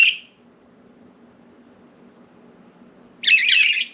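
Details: Pet budgerigars flying free outside their cage and perching on window blinds indoors; a short harsh chirp at the start, then near silence with low room hum, then a loud raspy burst of chattering near the end.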